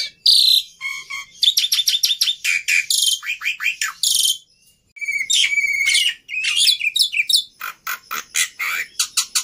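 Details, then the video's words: Black-winged myna gives an energetic medley of rapid ticking chips, downslurred whistles, harsh buzzes and a sustained clear whistle, with short pauses between bursts. "Suara Burung Jalak Putih Istimewa"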